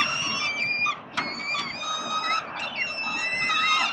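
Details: Begging peregrine falcon young, fed by the adult male at a Melbourne nest in Australia, October 2021: wavering, high-pitched squeals in overlapping bouts, interrupted by a few sharp knocks.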